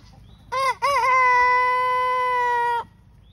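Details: Black Copper Marans rooster crowing: two short rising-and-falling opening notes, then one long, steady, held note lasting nearly two seconds. The whole crow runs about two and a quarter seconds over a quiet background.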